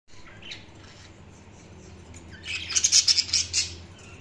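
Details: Budgerigars chirping: a quiet stretch of faint twittering, then a loud burst of rapid, high, scratchy chirps in the last second and a half.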